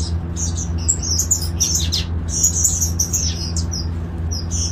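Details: High, sweet chirping from golden finches kept as a breeding colony in an open garden aviary, with quick twittered notes and short whistled slurs over a constant low droning hum.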